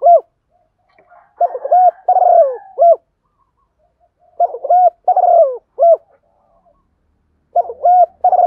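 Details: Decoy spotted dove cooing to call in and lure wild doves: short phrases of soft, mellow hoots with a rolling middle note, repeated about every three seconds, with silence between phrases.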